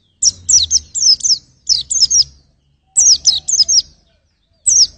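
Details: Quick groups of high, bright down-slurred chirps from a white-eye, four to five notes per group, three groups with short pauses between, used for testing vocals.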